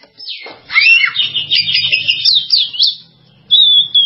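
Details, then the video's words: Oriental magpie-robin song: a long, fluid run of sweeping whistles rising and falling, then a clear drawn-out whistled note at the end. "SUARA BURUNG KACER"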